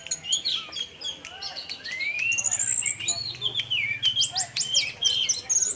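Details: Orange-headed thrush, 'teler' singing style, played to coax other thrushes into song: a continuous high warble of rising and falling whistled notes mixed with short clicks and sharp ticks.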